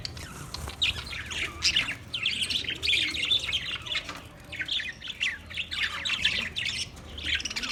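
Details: Budgerigar singing on 14 March 2024, a dense run of quick chirps and warbled notes, scratchy and varied, with brief louder bursts throughout.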